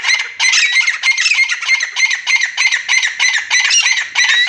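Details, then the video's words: Grey francolin in a fast, continuous harsh chatter of pulsed notes, about one and a half per second, with buzzy rising tones woven through. "Dakhani Titar ki awaz"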